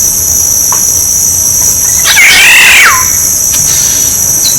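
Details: Black-naped oriole decoy song: a single rich, fluty whistled phrase that wavers and then slides steeply down, set against a constant high-pitched insect drone.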